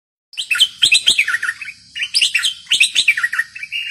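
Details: Bulbul singing in the aggressive style: bright warbling bursts of quick liquid whistles and chattering notes, delivered in three phrases with short pauses between them.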